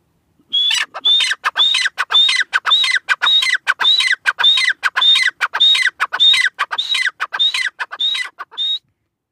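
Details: Grey francolin, locally called teetar, gives a long steady series of about fifteen repeated phrases, each a sharp high whistle followed by grating lower notes, evenly paced about two per second against a silent background.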